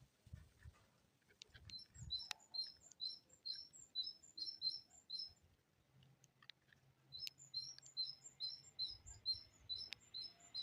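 A great tit sings two bright, high strophes of quick, repeated two-note phrases, 'tea-cher tea-cher', about two per second, over a faint low rumble.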